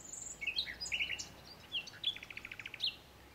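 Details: Common nightingale singing: a varied run of clear whistled notes and short chirps at shifting pitches, then a fast series of evenly repeated rattling notes, with a thin high whistle at the end over quiet background hiss.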